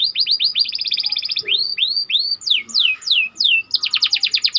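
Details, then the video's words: Tight rolling song of a white canary used to tutor other canaries: rapid chattering trills give way to three arched whistles, then a run of descending swept notes, ending in a fast dense roll. "Burung Kenari Ngerol Rapat"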